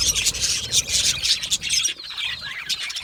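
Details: Colony of happy budgerigars giving quick, bright chirps and twittering bursts, loud and dense at first, then a short dip and some descending whistled notes among the chatter.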